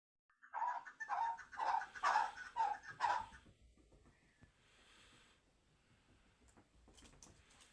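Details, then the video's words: Chukar partridge from Kabodiyon, Tajikistan: five loud, clipped mid-pitched notes repeated about twice a second, then quiet rustling and faint clicks. "Кабки Кабодиён"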